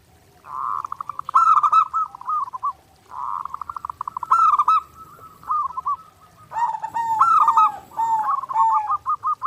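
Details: Clear zebra dove master song for daily training, sung nonstop: bursts of fast, bubbling coo notes that rise slightly and then ease down, repeated after short gaps, with a denser, overlapping phrase near the end.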